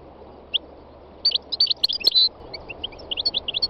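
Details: North African goldfinch, three years old, singing on a spring day in the north-west Tunisian mountains: a dense burst of high, jangling twitters, followed by a scatter of lighter chirps.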